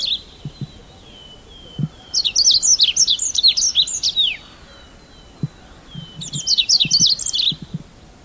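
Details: Red avadavat, resident lowland finch of scrub and grassland, singing two bursts of squeaky high chirps several seconds apart, preceded by thin whistles, with faint low knocks.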